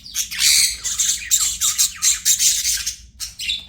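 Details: Pet budgerigar chirping: a dense run of buzzy, scratchy high notes, warbling bursts that come in quick pulses and pause briefly near the end before resuming.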